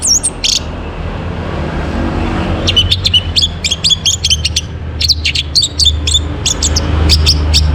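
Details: Orange-headed thrush singing in a morning recording used to bring birds into breeding condition: a rapid run of short, high chirped and whistled notes after a brief opening call, over steady low background hum.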